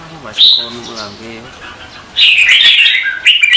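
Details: Red-whiskered bulbul competitive singing in the morning, used as a lure to train and stir other bulbuls to sing: a man's voice opens, then a brief high note, then a loud bright warbled phrase in the final second and a half.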